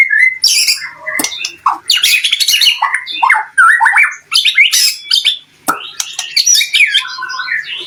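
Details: Energetic White-rumped shama song meant to rile other shamas into singing back: varied, rapid bursts of whistles, sharp chips and scratchy notes, switching pattern every second or so with short pauses between phrases.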